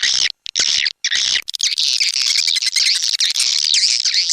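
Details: Swiftlet attraction sound SP Anak Gembala of Indonesian origin, an outdoor sound used in Sóc Trăng and Đắk Nông, Vietnam: brief chirp bursts separated by gaps, then an unbroken high trilling chatter.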